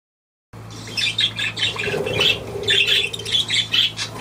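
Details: Budgerigar chattering in quick squawky chirps and short buzzy notes, bursts coming every fraction of a second after a brief silence at the start, with a steady low electrical hum underneath.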